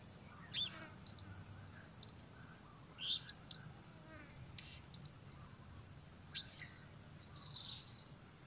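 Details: Lure-bird blue-crowned hanging parrot performing solo: bursts of piercing, very high twittering notes, some sliding briefly, grouped into rapid runs every second or so, with a quiet low hum behind.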